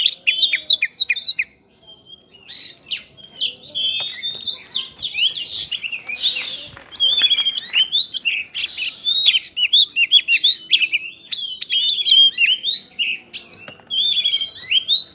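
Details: Oriental magpie-robin (kacer) song filled with prinia (prinjak) imitations, used as a lure to stir other birds into singing. Rapid, unbroken stream of high whistles, sweeping slurs, trills and chattering notes, with a harsh scratchy burst near the middle.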